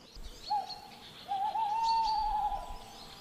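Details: Male tawny owl giving its territorial hoot, answering the female and warning other males off his turf: a brief low note, a pause, then a long wavering, slightly rising hooo. Faint high bird chirps in the background.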